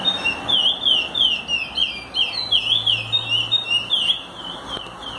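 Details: Chestnut-bellied seed finch singing, a song for teaching other birds: a fast run of clear whistled, slurred notes, repeated rapidly and rising and falling, over a steady background hiss.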